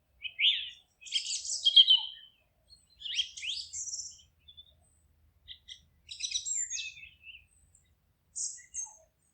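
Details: Wild birds singing in a forest: bursts of bright, high chirps and twittering phrases, each about a second long, separated by short silences, with quick trills and downward-sweeping notes.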